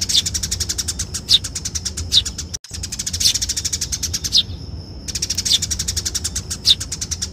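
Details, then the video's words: Fighting call of a Eurasian tree sparrow, used as a lure: fast, rattling high chirps pour out continuously, punctuated by louder squeaky notes about once a second, with a short dropout and a thin-toned pause. "crecetan dahsyat burung gereja tarung ampuh"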